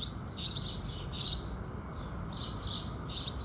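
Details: A few loud, bright chirps from house sparrows singing in the early morning sunrise, spaced about every half second to second, with quieter chirps between.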